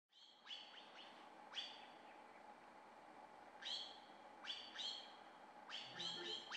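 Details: Rufous-browed wren singing short, bright, high-pitched bursts of rapid chirps and trills, one burst every second or so, over a faint hum; near its ground nest in a soil-wall cavity on a dirt road, oak-pine forest, Montetik park, San Cristobal de las Casas, nesting season, pair feeding chicks.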